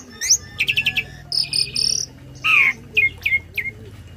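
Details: A tame starling delivers a full learned song meant to tutor other birds. It has a sharp upslurred note, a run of four quick chips, buzzy bursts, a loud downslurred whistle and several falling notes.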